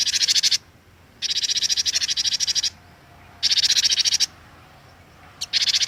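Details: Glatik watu, the cinereous tit, in full lure-bird form: dense grating rattles lasting under a second to a second and a half, repeated roughly every two seconds with silent gaps between.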